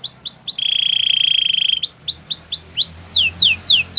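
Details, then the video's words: A white canary's training song: a few rising whistled slurs, a long steady buzzing roll lasting over a second, then a string of rising and falling sweeps. Faint low rumble underneath. "Canary training song | White canary singing with beautiful melodies"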